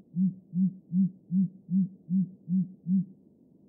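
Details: Great grey owl singing a steady run of eight deep, soft hoots, evenly repeated about every 0.4 seconds, with a faint low hum beneath.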